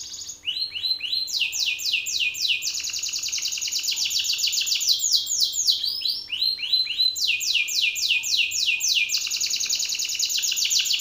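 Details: Powerful song of an aggressive male Belgian canary directed at a rival male: continuous fast trills of falling sweeps and sustained rolling buzzes shifting in pitch, nearly unbroken throughout.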